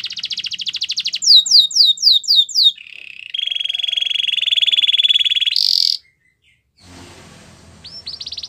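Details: Canary singing to train other canaries: a quick trill, a burst of descending swoops, then a long steady buzzing roll ending in a harsh high note, a pause, and a few rising whistles.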